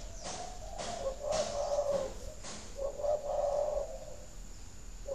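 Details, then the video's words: Spotted dove cooing for laying stimulation at a breeding farm in Ba Vì, Hanoi, Vietnam: two soft, low coo phrases, each a few linked notes, with dull knocking clicks scattered between them. "Tiếng chim cu thúc đẻ"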